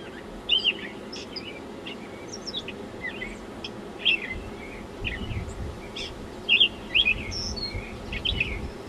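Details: Gray Catbird song played back from a small digital recorder outdoors at an Audubon site in Massachusetts: a rambling string of varied squeaky, scratchy phrases with short pauses, over a low background hum.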